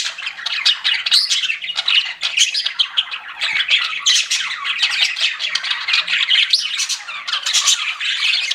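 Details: Pet budgerigars, described as flirting, fill the air with dense, continuous chattering: overlapping squeaky chirps, scratchy warbles and short buzzy notes from several birds at once, with no pauses.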